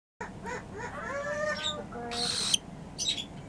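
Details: Newly arrived pet cockatiel calling indoors: a series of rising and falling whistled notes with clear harmonics, followed by short harsh broadband screeches near the end.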